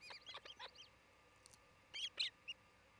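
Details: Osprey pair at a nest in Charlo, Montana, caught by a nest cam on 27 June 2018 around midday: a quick run of four high, down-slurred chirps, a pause, then three sharper piping notes.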